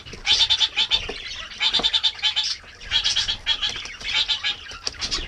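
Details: Kākāriki (New Zealand parakeets) bathing on a mild winter morning: bursts of rapid high chattering notes in rows, repeated every second or so, among splashing and wing flutters.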